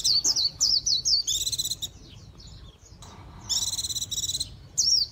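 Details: Japanese white-eye singing rapid, very high twittering phrases: slurred descending notes, then buzzy stacked trills, a quieter pause, and more trilled bursts near the end.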